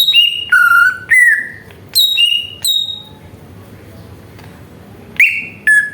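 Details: Greater green leafbird song used to stir other birds into singing: a few loud, ringing whistled notes at differing pitches, a long pause, then two more whistles.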